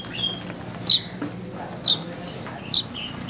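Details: Weaver calling to a rival or companion: three short, piercing high chips spaced roughly a second apart over a low background hum, with a faint thin whistle near the start.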